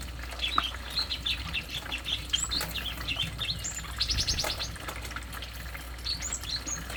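Stripe-throated bulbul giving short, bright chirping phrases with a quick rattling trill midway, over a steady low hum and faint background chatter.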